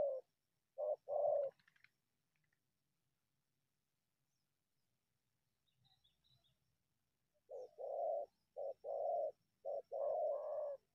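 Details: Wild spotted dove, unusual for always coming out of bushes to attack a decoy bird, gives low hollow coos in grouped phrases: two notes, a pause of several seconds, then a run of five repeated coos.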